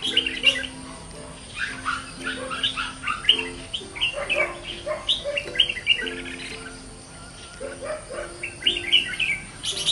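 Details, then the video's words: Fighting and decoy red-whiskered bulbul with white cheeks singing energetically ('ché'): continuous chattering series of whistled, warbling phrases, repeated rapidly throughout, accompanied by low steady background music. "chào mào má trắng siêu ché"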